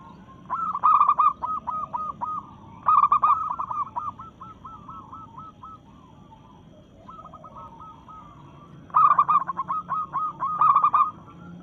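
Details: Zebra dove of a local Indonesian strain, in breeding mood and singing to challenge rivals. It gives repeated bursts of quick, stuttering coo notes, loud runs followed by longer softer rolling trills, with short pauses between phrases.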